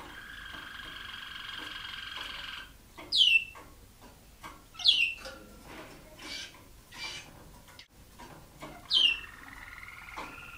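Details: Aviary-bred Waterslager Malinois canary in 2010, singing long sustained rolling tones broken by sharp, loud downward-swept whistles about every two seconds, with a rising roll closing the phrase.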